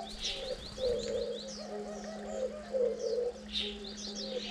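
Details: Diamond doves on the ninth day of chick rearing, parents feeding young; rough, pulsing low notes in short bursts about once a second, beneath a busy layer of quick high chirps and a steady hum.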